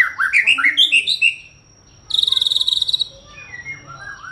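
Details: White-rumped shama song: a quick run of bright whistled notes climbing in pitch, a pause, then a high buzzy rattle of about fifteen rapid pulses, ending with soft lower whistles.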